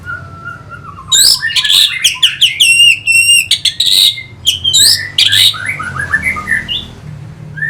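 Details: Energetic orange-headed thrush song from Singaraja, Bali, played to excite fighting birds: rapid mimicking phrases of sharp chips, downslurred whistles and scratchy trills in quick succession, tapering to quieter warbles.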